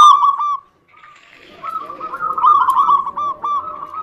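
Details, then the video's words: Zebra dove song used to prompt other doves to sing: a strong mellow coo near the start, a short pause, then a long run of rapid, rolling coo notes with several birds calling together. "PANCINGAN UNTUK PERKUTUT MALAS BUNYI"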